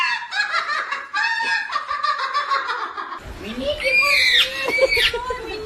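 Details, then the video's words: A parrot chatters in raspy, laugh-like bursts, then switches to swooping whistles that rise and fall, over a faint background hiss. "Cute parrot noises"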